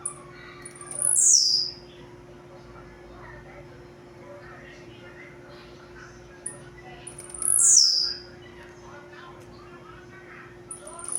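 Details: Song of a blue-black grassquit described as a tireless singer: a shrill, buzzy note sweeping steeply downward, given roughly every six seconds, with quiet hum and faint sounds in between.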